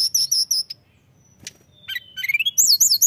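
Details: Mountain tailorbird giving a few high sharp notes, then falling silent for about a second before resuming with rising thin whistles and quick high slurred phrases.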